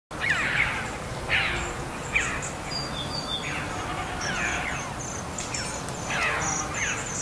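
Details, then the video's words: Red-billed chough giving loud, ringing, downward-slurred chirps, about five calls in seven seconds at uneven intervals, over a steady background hiss and a thin high tonal sound. "RED BILLED CHOUGH CHIRPING SOUND suara gagak paruh merah"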